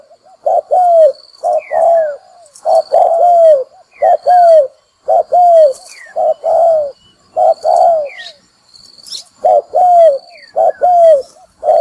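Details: Lure-call spotted dove for bird trapping, cooing steadily: short clipped note followed by a longer falling coo, repeated about once a second, with thin rising chirps and a high whistle from other birds.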